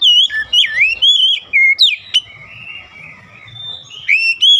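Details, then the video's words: Oriental magpie-robin song played to spur silent magpie-robins to sing: looping, bending whistles and sharp sweeps, a quieter warbled stretch, then loud whistles again. "KICAUAN PEMIKAT KACER MACET MALAS BUNYI PASTI CEPAT GACOR NGOTOT"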